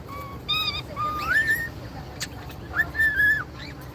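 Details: Pet cockatiels whistling a series of clear, sliding notes, some rising and some held level.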